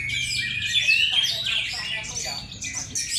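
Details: Oriental magpie-robin used as a lure bird, delivering a dense, fast jumble of high chirps and whistled slurs, notes tumbling over one another without pause.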